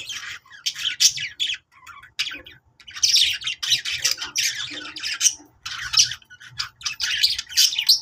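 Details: Budgerigars singing in fast, chattering bursts of squawky, buzzy and warbled notes with short pauses between phrases, played to get other budgies to sing.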